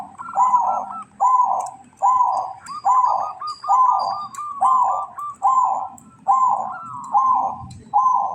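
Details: Local zebra dove in breeding condition singing the kantong semar ngretek style: about eleven rolling, throaty coo phrases near one pitch, each roughly two-thirds of a second apart, with faint thin high whistles from other birds behind.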